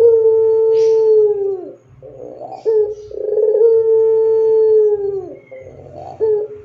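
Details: Barbary dove singing in the pelung style, used as a master recording for other doves. Two long, steady, clear coos, each slowly sliding down at the end, are separated by short rolling notes.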